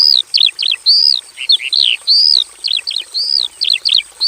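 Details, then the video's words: Javan bush lark kept in a simple aviary, singing energetically: arched whistled notes rising then falling alternate with clusters of rapid descending chirps, repeated about every second, with a steady faint high hiss. "KICAU SUARA BURUNG BRANJANGAN JAVANICA GACOR FULL ISIAN BIKIN MERDU"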